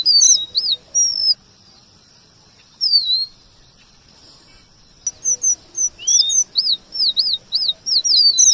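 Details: Red avadavat (emprit geni) singing actively as masteran for training white-rumped shama: bursts of very high, thin whistles and quick looping notes, a silent pause, then a dense run of rapid wavy notes.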